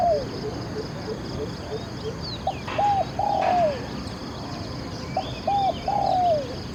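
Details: Spotted dove cooing low twice, each phrase a few short hoots ending in a longer falling coo, over a steady hiss and faint chirps from other birds; a wild male answering a decoy bird.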